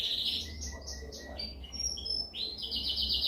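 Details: Canary giving a dominant song for training: varied short whistled phrases, some slurred up and some down, repeated quickly, ending in a bright buzzy trill, with steady low hum beneath.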